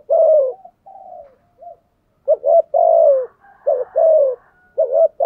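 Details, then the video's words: Spotted dove giving a full-pattern 'thúc gù' cooing sequence meant to agitate wild doves into cooing back: mellow low coos in short grouped phrases, some notes slurring downward, with brief pauses between bursts. "Tiếng chim cu gáy bài bản thúc gù, bổi nghe rất ức chế và gáy theo luân"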